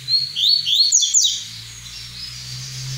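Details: Double-collared seedeater singing the 'tui tui' song style: a quick run of high, bright whistled notes sliding up and down, with a sharp downward sweep near the middle, then fading to quiet with a low steady hum underneath.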